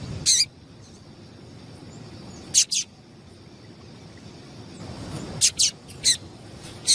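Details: Female double-collared seedeater call, played to make males sing: short, sharp, high-pitched notes that sweep downward. They come singly and in quick pairs, with long quiet gaps and a low hiss of background noise.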